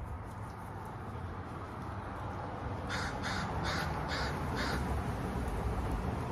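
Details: Series of five quick, hoarse crow caws over a steady low rumble of background noise.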